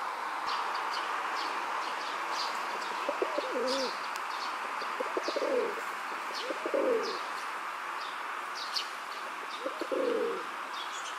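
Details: A rock dove male courting a female in a park, throat puffed out, gives four deep, wavering coos a second or two apart, each a short rolling phrase, while small birds chirp steadily in the background.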